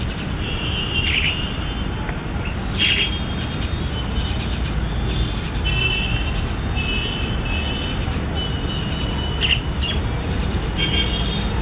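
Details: An injured Indian myna, grounded on a home lawn with a badly hurt leg and unable to fly, calls for help with harsh, grating squawks and chirps in irregular bursts, some drawn out, over a low rumble of traffic.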